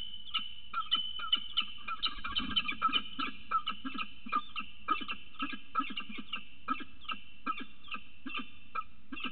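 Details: Peregrine falcons, an adult male arriving with food for the female on the morning she lays her first egg: harsh, rapid chipping calls repeated about three times a second throughout, over a low background rumble.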